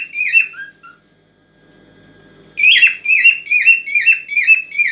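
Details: Aroused cockatiel whistling to spur a female toward mating; after a short pause, a run of about seven bright, clear whistled notes repeated rapidly and evenly.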